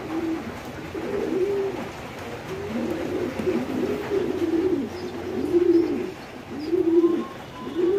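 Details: Fancy pigeons on a pigeon farm in Bangladesh coo in rounded, arching phrases close to once a second, throaty and resonant, with other birds murmuring underneath.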